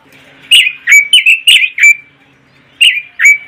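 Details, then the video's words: Ngoceh song of a Pekin robin: a rapid string of clear whistled notes, some sliding downward, followed by a pause and two more separate whistles, with a faint background hum. "Suara Kicau Burung ROBIN - Ngoceh"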